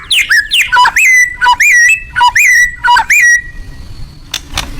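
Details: Loud song of a white-rumped shama, rapid rich whistled notes with rising and falling slurs, repeated about eight times, then a quiet pause with faint clicks.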